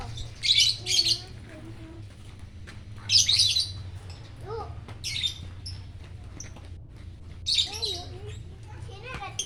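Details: Lovebird greeting the morning sun in Jatihandap, Bandung; sparse short harsh screeches in pairs, separated by quiet gaps with a few squeaky twittered notes and a faint low hum.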